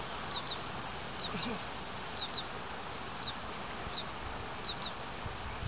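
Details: Oriental greenfinch young that have left the nest chase adults begging for food in Hiratsuka, Kanagawa, Japan. High, slurred-down notes come mostly in pairs every second or so, with light wind hiss.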